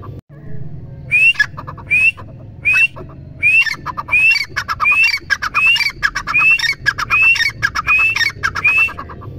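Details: Grey francolin (teetar) giving a loud, harsh series of rising, squeaky notes, about one every second, building steadily over about ten phrases.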